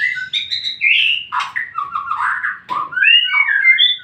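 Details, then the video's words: White-rumped shama song used as a lure to make other shamas answer: rich whistled phrases sliding between low and high notes, with a harsh burst near the middle and a rising whistled run at the end. "Murai manapun pasti nyaut dengan suaranya"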